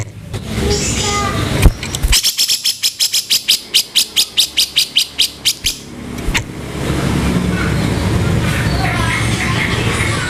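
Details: Training master of grey-cheeked bulbul in the rough 'kasaran' speed style: a long run of about eighteen gritty, rapid notes over nearly four seconds, set between stretches of steady background noise.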